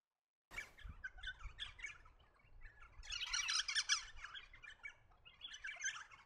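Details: Eastern rosellas in woodland, parks or gardens of the New England region, NSW, Australia, chatter in busy, overlapping high chirps and squeaks, rapid and irregular. A louder burst comes midway and a few low thumps at the start.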